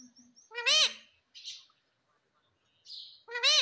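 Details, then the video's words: Pet green ringneck parrot talking at home: two loud harmonic rising-falling word-like calls about three seconds apart, with brief softer chirps and squeaks between them. "Mummy Mummy Bolne Wala Parrot || Talking Parrot"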